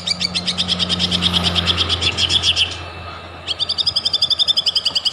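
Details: Lively white-rumped shama song meant to stir other shamas into singing: a dense chattering run of repeated notes fades out, then after a gap a new rapid, evenly spaced series of bright notes starts, over a low electrical hum.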